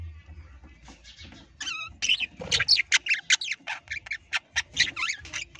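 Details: Parrots, apparently kept as pets in an aviary, give a rapid run of harsh, squawking chatter notes, some with stacked harmonic tones, repeated about twice a second, rising over faint background rustling.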